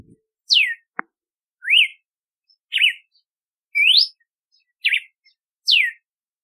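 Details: Cardeal do nordeste, the red-cowled cardinal, giving a steady run of whistled phrases about a second apart, downward sweeps, rising slurs and zigzag notes, with one faint click near the start.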